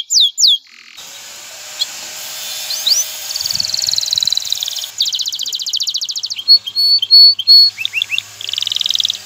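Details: Courting male canary stimulating a female to mate and build a nest, heard through steady hiss: scattered high whistles, short slurs, a buzzing fast trill and clipped rising notes, with pauses between phrases.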